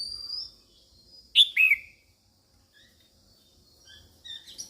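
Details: Female red-whiskered bulbul calling to stimulate males: a loud pair of sharp downward-sweeping notes near the middle, with faint thin high whistles before and after.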